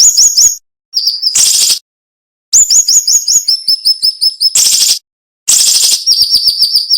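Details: High, sharp and dense song of the cinnamon-bellied flowerpecker (siri-siri), with short gaps between phrases: rows of thin upswept chirps and flatter ticking notes, loud broadband rasps, and several clean silences.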